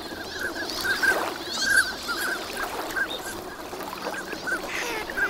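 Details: Migrant ducks gathered for winter at Nagahama on Lake Inawashiro keep up a morning chorus of short whistles, uneven in timing, with occasional louder notes and a brief rushing noise near the start.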